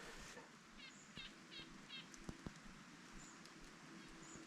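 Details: Wild nuthatches calling along an overgrown, wet trail on a drive from Glasgow, Montana toward the Black Hills, South Dakota; four nasal, buzzy notes about 0.4 seconds apart, thin high whistles, and a few soft thumps.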